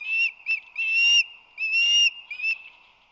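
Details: Osprey at its San Francisco Bay nest, March 2020, the male bringing fish that the female struggles to pry from his talons: loud, drawn-out high whistles alternating with short piping notes, five phrases in three seconds.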